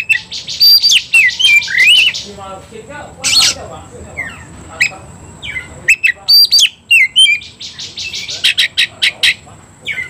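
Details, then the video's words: Oriental magpie-robin provoked into a fighting mood, singing hard while displaying: loud sweeping whistles and slurred notes mixed with rapid buzzy rattling bursts, in phrases broken by short pauses. "membakar emosi kacer, kacer gacor tarung ngobra"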